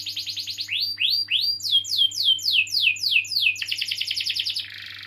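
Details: Canary song played to prompt young or non-singing canaries; rapid trills give way to loud, descending swooped whistles repeated about twice a second, then a fast high trill and a buzzy ending, low hum in background.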